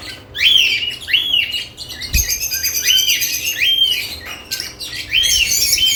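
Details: Lovebirds at added nest boxes: clear arched chirps that rise then fall, repeated about every second, over a background of several other birds chattering, with one sharp knock near two seconds.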